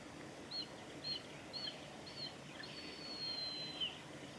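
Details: Juvenile mountain hawk-eagle at Isehara, Japan, 29 November 2020, gives four thin, high whistled notes about half a second apart, then one longer drawn-out whistle that slurs down at the end, over a low background hum.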